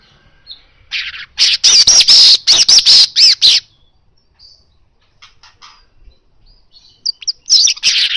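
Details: Asian golden weaver singing hard in a natural recording for prompting kacer to sing: about three seconds of loud buzzy chattering bursts, a quiet pause with faint notes, then the wheezy chatter starts again.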